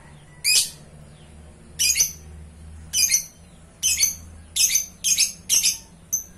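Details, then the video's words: Lovebird, chattering gacor style: about eight shrill, grating squawks, some doubled, at irregular intervals of under a second to over a second, with a soft low hum behind. "Suara love bird gacor"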